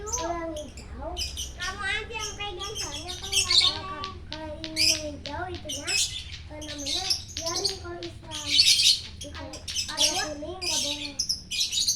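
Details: Morning song of a champion lovebird in full voice at Parahyangan Village, Jatihandap, Bandung; dense, rapid chatter of squeaky rising and falling notes mixed with harsh buzzy bursts, running almost without pause.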